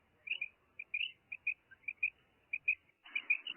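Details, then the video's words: Female common quail producing quiet, high, short paired notes, loosely spaced, before a louder burst of notes with broader noise at the end. "Female quail sound| madi batair ki awaz | batair karkaree| Maadi Batair Ki Awaz| Female Common quail"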